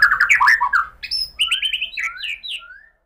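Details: Murai batu, the white-rumped shama, in a lure recording used to coax singing: quick clustered chirps, then clear whistles sliding down in pitch, spaced and tailing off into silence.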